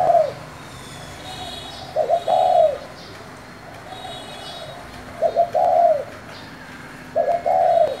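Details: Spotted dove, 'thổ' voice, calling to rouse wild doves. Three cooing phrases come at roughly three-second spacing, each a quick stutter then a longer drooping coo, with faint high chirps behind.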